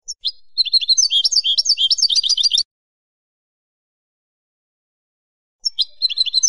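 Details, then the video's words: Song of a European goldfinch, used to teach young birds to sing and encourage singing: a fast liquid twittering phrase of varied chirps lasting about two seconds, a pause, then the twittering resumes, no other sounds. "CANTO DE JILGUERO para NOVELES y MOTIVAR a CANTAR"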